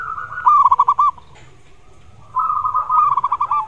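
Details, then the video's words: Zebra dove singing as a therapy lure for doves that sing little: two rolling, pulsed cooing phrases, the first short and the second longer and steadier, separated by a quiet pause. "Suara TERAPI Perkutut Yang MALAS Bunyi"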